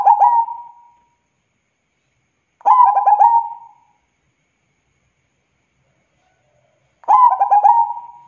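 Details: Zebra dove, a local perkutut, giving its lively cooing song: three bursts of rapid stuttering coos that trail into a drawn-out tone, the phrases separated by long silent gaps.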